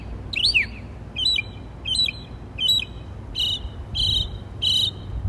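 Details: Bird chirping in trees while communicating with other birds: seven sharp, high chirps, the first ones hooked and twisting, later ones buzzier, spaced about every two-thirds of a second, over low background rumble.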